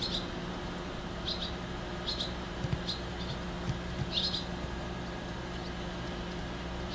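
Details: Very young barn swallows perched on an electric cable give brief, high chirps in small clusters, scattered irregularly a few times each second, over a steady low hum.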